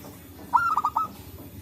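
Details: Zebra dove in forest, recorded as a trapping lure; one short phrase of quick, bubbling coos that opens with a rising note and breaks into three or four clipped pulses, over a low background hum.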